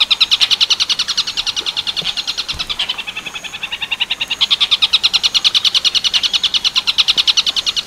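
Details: Tengkek buto werkudoro style song by a long-tailed shrike, meant for training birds. Loud, piercing notes pour out rapidly at around three per second, dipping in volume midway, then rising again.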